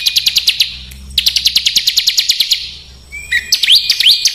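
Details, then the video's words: Burcil, a small songbird, in harsh besetan style for mastering caged home and contest birds; rapid ticking rattles in two runs, then quick rising whistled slurs. "Suara Masteran Burcil Besetan Kasar"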